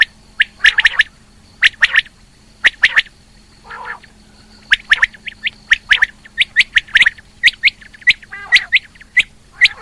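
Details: Rain quail hen calling in 2020, giving bursts of short, bright notes in twos and threes, interrupted by an occasional lower, grating call, with an electrical hum throughout.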